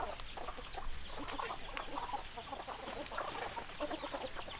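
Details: Hens clucking in a busy flock, with many short overlapping clucks and murmurs running steadily throughout and no clear crowing heard.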